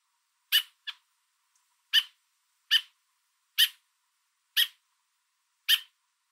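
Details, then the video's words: Parent American robin with food in its beak on a fence, Niagara area, Ontario, Canada, repeatedly calling to its fledgling and urging an intruder to back off: seven short, loud, harsh notes, the first followed by a softer quick note, then steady spacing. "American Robin Calling Its Fledgling On a Fence With Food In Its Beak"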